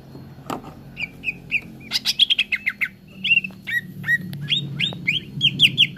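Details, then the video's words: Leafbird known locally as cucak ijo, played as song therapy for caged birds: a lively stream of clear whistles, swooping slurred notes and dense chirp clusters, backed by a low continuous hum. "TERAPI CUCAK IJO BAHAN CEPAT GACOR"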